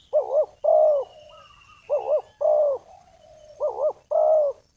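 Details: Spotted dove lure call for catching wild doves: three clear phrases, each a short wavering double note followed by a fuller, drawn-out coo that trails off softly, with a faint high thin whistle in the gaps.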